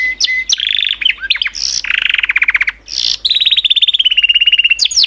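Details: Canary song made of sharp chips, a low buzzy rolling trill, then a long, rapid trill of repeated notes that slowly falls in pitch.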